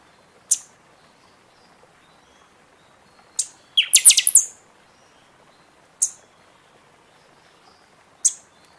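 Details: Buffy-fronted seedeater in its singing season, sung to rouse caged birds after moulting: isolated thin high chips spaced a few seconds apart, broken once by a dense rapid phrase of high ringing whistled strokes.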